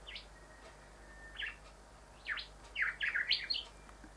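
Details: Male rufous whistler (Pachycephala rufiventris) visiting house windows to look at his reflection; scattered whistled notes, then a fast cluster of sharp, swooping whistles that dip and rise.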